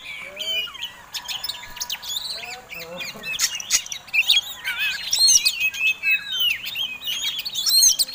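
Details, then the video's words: Fighting Oriental magpie-robin, a contest bird, singing with tail-flared display as a provoking song: dense run of varied high whistles, slurred chirps and rising notes that grow louder after three seconds, with overlapping song phrases throughout. "Kacer Tarung Ngobra Ngotot Gayanya Eksotik Bikin Ngiler || Pancingan Mewah!!!"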